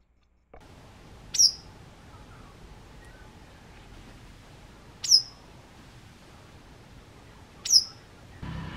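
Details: A White wagtail (Motacilla alba) visiting a balcony or garden gives three sharp, high, down-slurred chirps spaced a few seconds apart, over a faint low hum.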